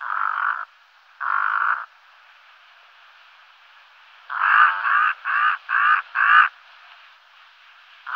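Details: Brown-necked raven calling with two drawn-out hoarse caws, a long gap, then a rapid burst of five grating caws, with one more beginning at the end; background otherwise quiet.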